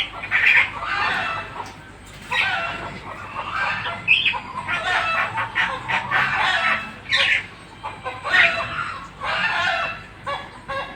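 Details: Black-winged starling in full song, giving strident grating chatter and scratchy squawks mixed with short whistled notes, delivered in energetic bursts roughly every one to two seconds.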